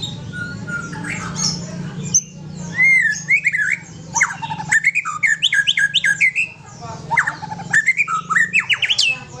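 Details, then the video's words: Aceh white-rumped shama kept with a companion, producing clear whistles followed by rapid series of rising slurred notes and sharp clicks in energetic bursts, a low humming drone throughout. "Murai Aceh + Punya Teman"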